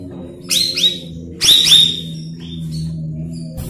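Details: Cucak rawis, used as a lure recording for training young birds: sharp, high, upward-sweeping whistles in pairs, each flicking up then holding steady, followed by softer shorter whistles, with a low steady hum below.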